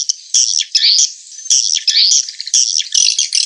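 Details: Edible-nest swiftlet lure sound, Joker, meant to fill a swiftlet house: nearly continuous high, buzzy twittering in swelling phrases about a second long, with chirpy accents between them.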